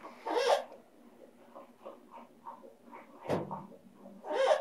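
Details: Severe macaw, described as a good talker, giving soft murmured chatter notes between two louder, harsh, raspy squawks at the start and end, in a quiet indoor room.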